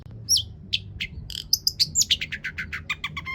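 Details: Long-tailed shrike singing a lure song rich in imitated phrases, meant to provoke other shrikes into song: scattered high chirps giving way to a fast, even run of short clipped notes.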